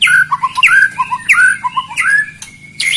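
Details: White-rumped shama song, said to be full of rapid bursts and used to provoke rival birds: varied phrases of sharp, slurred whistles mixed with short squawky notes and quick chirps, with brief pauses, over a low steady hum.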